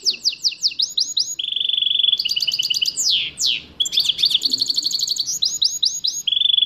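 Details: Goldfinch mule singing a varied, loud song. It runs from quick sweeping notes to a level low trill, fast high rattles and long downward slurs, then returns to rapid chirps and a closing steady trill.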